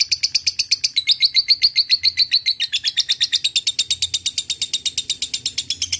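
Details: Lovebird song meant to provoke rivals: a long, rapid, high-pitched chattering ngekek, about four notes per second, slightly dipping in pitch partway through and running without a break.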